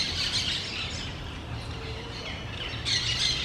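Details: Two parrots calling between tall trees in low forest: rasping, scratchy bursts at the start and end, with a quieter stretch in between.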